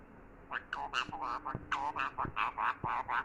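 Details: Talking parrot giving quick, nasal, speech-like syllables in a continuous run, with a few sharp clicks and a low background hum.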